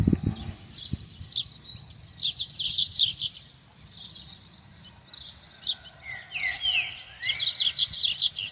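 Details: Double-collared seedeater singing in the wild: rapid, dense twittering bursts of high chattering notes, then a few slurred downward whistles and more fast warbling near the end; faint low rumble underneath.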